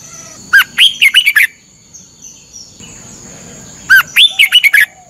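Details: Caged Red-whiskered bulbul in Thailand giving morning training song: two clear phrases of six quick, sweet warbled notes, roughly three seconds apart, quiet gap between, thin steady whine in the background.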